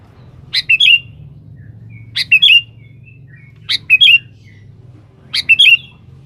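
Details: Sooty-headed bulbul calling a rival, used as a lure: the same short, bubbly whistled phrase of three or four notes repeated four times, roughly every one and a half seconds, with a low background hum.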